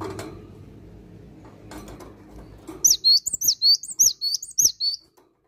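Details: After low background noise, a Cinereous tit bursts into a lively series of about ten high, piercing two-part whistled notes in quick succession.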